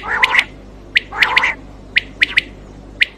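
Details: Quail (batair) heard as a hunting call for night use: harsh raspy bursts mixed with sharp, high, clipped notes in pairs, recurring roughly every second over a low steady hum.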